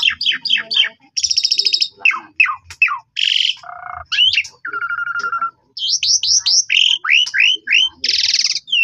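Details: Varied black-collared starling song used as a lure for other starlings: rapid slurred chirps, buzzy rattles, harsh broadband notes, a low nasal tone, a steady mid whistle, and bursts of sweeping upward notes.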